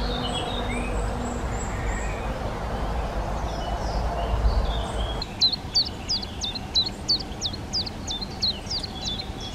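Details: Collared flycatcher nesting in a garden: after about five seconds of low rumbling background noise, a run of short, high, sharply falling whistled notes repeats about three times a second.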